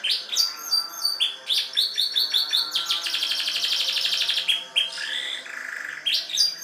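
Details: Canary singing in a ciblek-like style: a loud, varied song of sharp high chirps and rapid buzzy trills, with a long, dense rattling trill in the middle and bright notes returning at the end.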